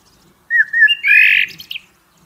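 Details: Blackbird in nature: a short, clear, wavering whistle that breaks into a louder, squeaky, scratchy warble.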